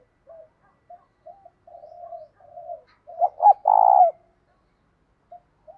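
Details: Spotted dove singing a full song in the mixed 'thổ' and 'thúc gù' style at morning, calling to lure wild doves. Soft low broken coos lead into two short emphatic notes and one long, loud, drawn-out coo, with quiet coos trailing after.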